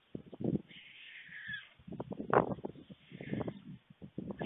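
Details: White storks at a nest webcam in Fohrde, Germany, 21 July 2019 at 1:45 p.m., as the adult male brings a late lunch to two storklets. Low, hoarse, rasping pulses come in rapid bursts, with a faint higher hiss behind them.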